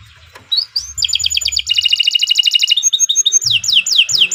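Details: Long training song of a Kenari Nusantara canary for schooling other birds: brief rising whistles, then a rapid rolling trill of doubled notes followed by widely spaced falling slurs.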